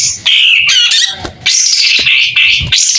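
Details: Pied triller in full song with its tail opened, delivering a loud, nearly continuous stream of buzzy, rasping high notes with whistled slurs and one short pause.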